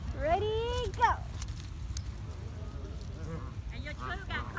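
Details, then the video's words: Wild geese in sunny weather give two loud, nasal, rising honks in quick succession, then softer, higher honks, over a steady low rumble. "The sound of geese conversation"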